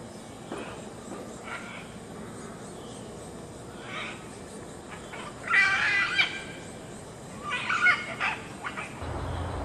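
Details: Great green macaws at Grand View Estates give two harsh, raucous squawk bursts about two seconds apart, after fainter scattered calls, over a steady background hiss.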